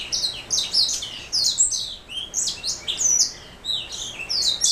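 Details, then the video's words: Black throat mule, a canary hybrid, delivering a bright, rapid song of high chirps and slurred whistles in quick bursts with brief gaps. "Black throat mule"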